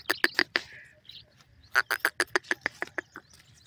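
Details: Grey francolin, described as Sindhi teetar and shown feeding: a burst of four sharp notes, a pause, then a faster run of about ten clipped, evenly spaced notes that fade toward the end.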